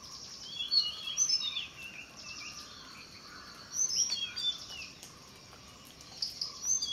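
Tickell's blue flycatcher giving high, thin, sweet notes and quick twittering phrases in three short bursts, with soft background hiss between them.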